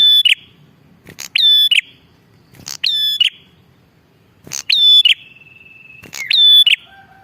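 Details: Repeated strident, buzzy calls of a bar-winged prinia, recorded to lure wild birds, sounding about every one and a half seconds and followed by a trailing thin whistle and soft lower notes.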